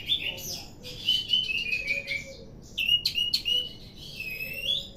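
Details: A ringed orange-headed thrush in increasingly full song: clear whistled phrases, some slurring downward, alternate with sharp chirps and short ringing notes, several bursts separated by brief pauses, faint background hum.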